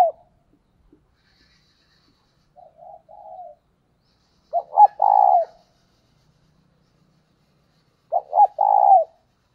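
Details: Spotted dove decoy calling to draw in wild birds, giving soft introductory notes, then two full low cooing phrases roughly four seconds apart, each with short stuttering notes before a longer drawn-out coo.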